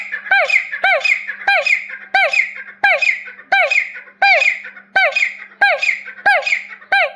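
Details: Grey partridge (desi teetar) giving a steady series of loud, rasping, squeaky notes that swoop down and up, about ten phrases at roughly 0.7-second intervals, with a soft constant hum underneath.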